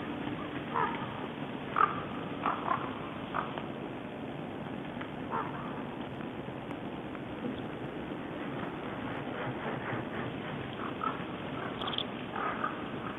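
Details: Common ravens sharing a feeding ground with small birds, recorded 10 January 2012; harsh, hoarse croaking calls come in irregular bursts throughout, over a steady background hiss.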